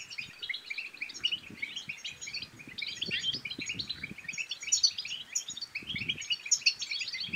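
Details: European goldfinch twitter song in the batbata style, aimed at getting a silent goldfinch singing. Long, dense stream of sharp tinkling chirps and trills with occasional low taps and bumps.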